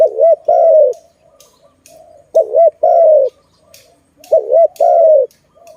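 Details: Zebra dove, known as Malay dove, near a trap; three evenly spaced phrases, each a bouncy two-part trill followed by a longer sliding coo, with faint cooing between them.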